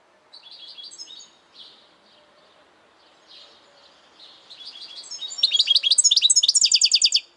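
A European goldfinch sings a high, tinkling stream of twitters and liquid trills, starting soft and broken, then building into a loud, rapid, buzzy chatter.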